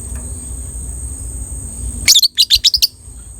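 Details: Lovebird with a violet colour mutation, sound meant to stimulate breeding drive: after two seconds of low rumbling background, a rapid series of sharp high chirps in a quick irregular burst, with a steady high electronic whine throughout.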